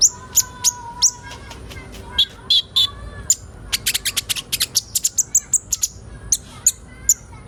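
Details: Kolibri ninja sunbirds heard as a crowd recording for training young birds to sing quickly. Scattered high chirps build into a rapid, dense run of sharp ticking notes. A faint lower whistled tone sits beneath.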